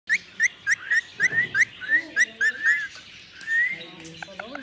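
An Indian ringneck parakeet gives a quick run of short rising whistles, about four a second, ending in a longer drawn-out whistle and a few scratchy notes.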